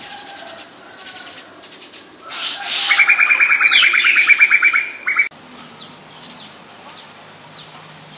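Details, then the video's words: Common myna in Ubon Ratchathani, Thailand, recorded 7 May 2022 on a Nikon P1000: a loud, rapid run of harsh, evenly repeated notes lasting about two seconds, plus thin high chirps from other birds before and after. "นกเอี้ยงสาริกา (Common Myna)"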